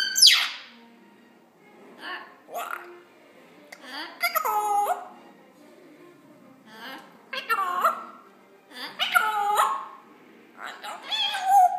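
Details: Pet African grey parrot, male, 14 months old and still learning, trying out peekaboo and other word-like sounds; repeated short bursts of gurgling, speech-like chatter and sliding whistles separated by quiet gaps, indoors.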